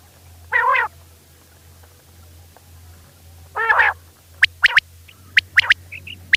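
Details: Female common quail call, locally batair, used as a lure for quail hunting: two nasal, harmonic-rich bursts about three seconds apart, then a quick series of short, sharp notes, over a steady low hum.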